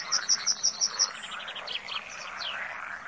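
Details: Comb-crested jacana (Irediparra gallinacea) calling: a fast run of about six high, sharp piping notes in the first second, then softer, lower twittering notes, all over a steady, dense chorus of frogs.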